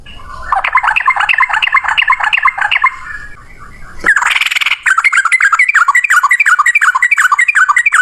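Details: Male yellow-vented bulbul in long, rapid fighting-style song meant to lure other bulbuls into singing: dense, fast streams of bubbly chirping whistles, with a brief louder burst midway, then the run continues briskly.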